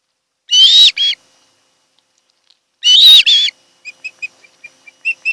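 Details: Osprey at a Kent Island, Maryland nest in summer afternoon; two loud harsh squealing calls in pairs, followed by soft, faint high chirps at irregular intervals.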